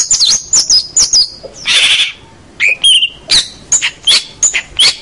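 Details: Cendet, the long-tailed shrike, in full song for tutoring local birds: high whistled notes that drop and rise, a noisy rasping burst, then quick chirps and harsh chips in a fast, uneven run.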